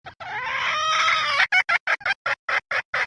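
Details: Female red junglefowl, with a recording used to lure wild junglefowl: one long, drawn-out harmonic squawk lasting over a second, then a run of about eight short, sharp clucks at an even pace.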